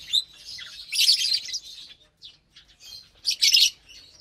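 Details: A group of captive lovebirds eating a morning meal of kale, corn, sprouts and seed mix makes shrill chattering chirps, with two loud, dense bursts separated by softer, broken notes.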